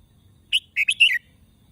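A Red-whiskered bulbul gives one quick, bubbly phrase of four or five rich, slurred whistled notes lasting under a second, against a quiet background.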